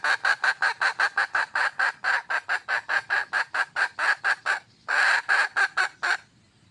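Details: Wild red junglefowl hen calling to attract a male: a fast series of about thirty harsh, clucking notes at a steady pace, one brief pause, then several louder, fuller notes before fading.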